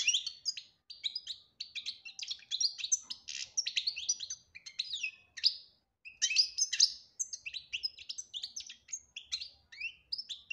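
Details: European goldfinch giving betbta and tasfia song: fast, rich sequences of liquid twitters and buzzy notes running almost continuously, with one short pause midway.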